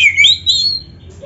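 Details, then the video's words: Oriental magpie-robin (kacer) masteran phrase: a short pair of clear, bright whistles gliding slightly upward, then fading away. "MASTERAN KACER FULL MATERI MEWAH"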